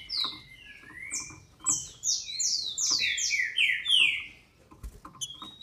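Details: Female green-winged saltator, a captive bird in Brazil, calling to rouse males: a dense burst of overlapping, downward-slurred high notes lasting several seconds, then quieter with scattered clicks and one short whistle.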